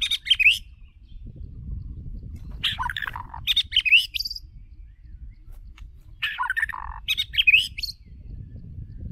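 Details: White-rumped shama lure bird in song: three separate bursts of scratchy, chattering high notes mixed with short whistles, spaced a few seconds apart over a low rumbling background.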